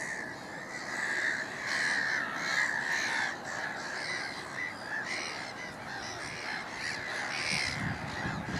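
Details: Black-headed gulls calling noisily at Middleton / Fishers Mill alongside a Mediterranean gull; rapid harsh, rasping cries tumble over one another from several birds, steady and busy, louder bursts near the start.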